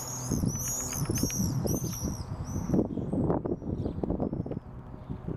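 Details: Common swifts, non-breeders 'banging' at nest boxes under the eaves at the back of houses, 16 June 2014; shrill, high screams in a dense burst over the first two seconds, then fainter, with low knocks and thuds throughout.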